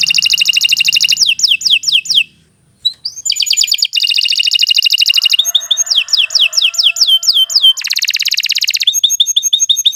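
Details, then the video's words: Long canary song of rapid repeated trills and chopped notes, switching between fast buzzy rolls and descending sweeping notes, with one brief pause early on. "Kicau Burung Kenari II GACOR PANJANG"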